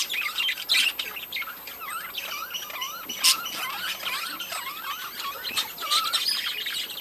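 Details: Budgerigars in a breeding colony keep up continuous high chatter, with repeated quick zigzag warbled notes over a constant background of many chirping birds.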